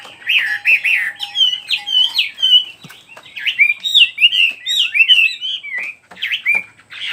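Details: Bright, varied warbling: a songbird strings together short, clear whistled phrases and sharp upward and downward slurs, each separated by tiny gaps, with faint clicks in the background.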